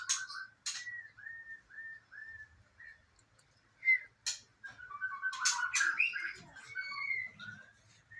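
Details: White-rumped shama, a competition fighter bird, singing a varied series of clear whistled notes, several short repeated whistles near the start then louder sharp rich phrases and rapid chatter, with faint low hum beneath.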